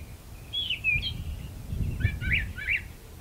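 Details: Brown thrasher in a magnolia tree gives a brief burst of song: a drawn-out slurred whistle, then three quick scratchy down-slurred notes, with faint low rumble behind.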